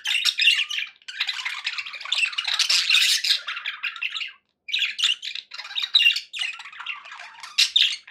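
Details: A group of pet budgerigars chirps cheerfully indoors: harsh warbling phrases and squeaky whistles, broken by a clear silent gap of about half a second midway.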